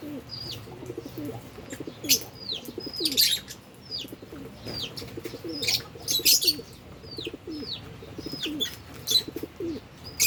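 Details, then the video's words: Albino and Fischer's lovebirds eating and playing, giving many short high chirps that sweep downward, repeated irregularly, mixed with sharp clicks and some lower cooing notes underneath; busy indoor flock sound. "Lovebirds Chirping Sounds"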